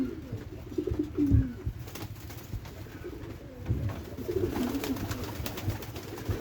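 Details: Cooing white pigeons in their loft, which holds three birds: a few deep rolling coos, one around the first second and a longer run near the end, mixed with knocks, wing and shuffling sounds, and a low hum.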